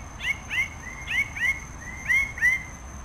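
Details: Quick series of ringing, upward-curving notes from a Red bird-of-paradise, six notes in about three seconds, some slightly drawn out, with a thin steady whine in the background.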